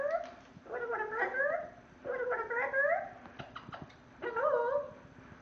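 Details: Parrot kept in a portable cage mimicking a cat's meow: drawn-out, nasal, wavering mews in three bursts, with sharp clicks between them, inside a small room.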